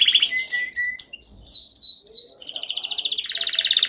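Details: Canary in a dominant training song: short descending chirps, four long pure whistles, then a fast rolling trill of rapidly repeated high pulses.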